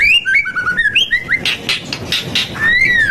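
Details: White-rumped shama singing a lively song meant to fire up other birds: a run of clear whistled notes stepping between pitches, then a few harsh bursts, ending on a long rising and falling whistle.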